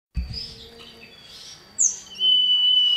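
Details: Male common iora calling a female, used as a lure to draw other ioras into song: quiet opening, then a sharp high note and a long, steady, loud whistle held on one pitch to the end.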